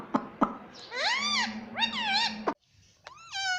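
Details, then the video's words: Pet green ringneck parrot saying "mummy" and "papa": two drawn-out, bowed harmonic syllables, a brief silence, then one more rising-falling note, with a faint steady hum underneath. "parrot talking mummy papa"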